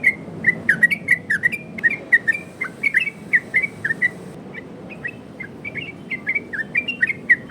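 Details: Yellow-vented bulbul in its 'ropel' variation, sung loudly to lure and train other bulbuls. Bursts of chirpy, bending whistles with a quieter gap mid-clip, then quick phrases resume, plus a thin steady high tone briefly.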